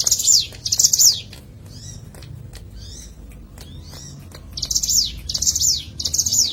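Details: Bar-winged prinia, recorded as a natural lure: two fast high trills, then a lull with soft upslurred chirps and clicks, followed by three regularly spaced sharp chattering bursts.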